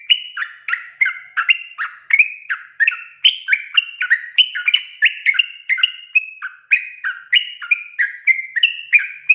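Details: Sooty-headed Bulbul lure call meant to make wild birds sing: a steady, unbroken stream of bubbly, fluty two-note phrases, dropping and rising, repeated roughly twice a second with no other sounds.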